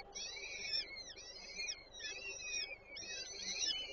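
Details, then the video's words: Peregrine falcon young at a Warsaw nest on 8 May 2023, fed by their mother, give softer, high, curving squeals in four separate bursts over a quiet background. "Nela karmi pisklęta 8 05 2023 sokoły wędrowne"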